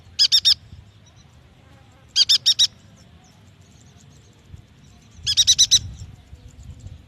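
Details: Yuhina song played to stimulate young, newly caught or non-singing yuhinas: three short bursts of three or four rapid high chattering notes, separated by pauses of two to three seconds, over a low rumbling background.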